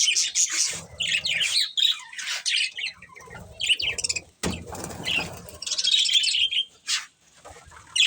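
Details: Budgerigar breeding pair chirping: rapid, grating high chatter with a soft low fluttering underneath, broken by short pauses and a sharp click near the midpoint, then a brighter warbled phrase.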